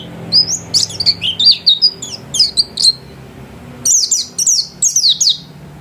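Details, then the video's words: Caged white-eye at home singing lively bursts of high chirps and short slurred whistles, pausing briefly before a second burst of sharp descending notes. "Burung pleci gacor kelas rumahan"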